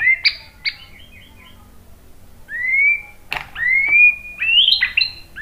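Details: White-rumped shama song played to bait other birds into answering: short chirps and a soft trill, then slurred whistles and clicks, ending in a warbled high phrase.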